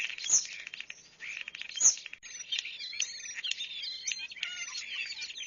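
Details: A European starling in Zion National Park chatters in a rambling jumble of high whistles, squeaks, clicks and buzzy notes, with two sharp snapping clicks early on.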